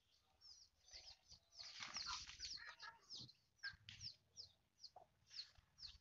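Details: Foraging mother hen: a burst of rustling and scratching with clucks in the middle, surrounded by frequent high, thin peeps from chicks.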